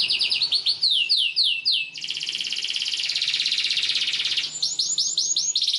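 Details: Canary singing a long emotional song for tutoring juvenile canaries: descending slurred chirps in series, a dense buzzy high trill in the middle, then more falling sweeps and chirps.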